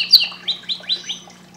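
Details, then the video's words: Canary giving a short phrase of five rising swept chirps about two tenths of a second apart, fading at the end; low hum in the background. "canário cantando muito"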